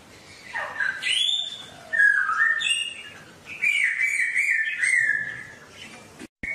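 A songbird sings rich, slurred whistled phrases that rise and fall, delivered in bursts of about a second with brief pauses between them.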